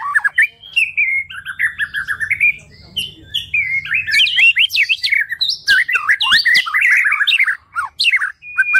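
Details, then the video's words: White-rumped shama in full, varied song, used to tutor songbirds: rich warbled whistles, then a lull, then a loud burst of sharp rising and falling notes and harsh chatter, ending on a held whistle. "OCEHAN MURAI BATU"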